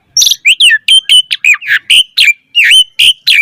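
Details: Asian pied starling pouring out varied song to prompt other starlings to sing: about a dozen loud, short, harsh and whistled notes in quick uneven succession, many with downward or upturned slurs.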